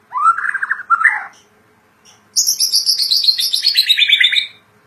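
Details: White-rumped shama (murai batu), a kept songbird in vigorous song: a rising warbled phrase, a brief gap, then a long run of high, bright descending whistled notes rich in overtones.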